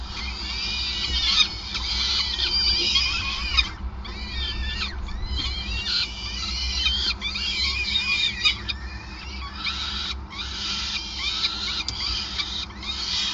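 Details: Peregrine falcon nest on the Gasunie site in Groningen, 5 May 2020, during an extended feeding: repeated bursts of harsh, rasping high-pitched calls, each a second or two long and separated by short silences, over a constant low hum.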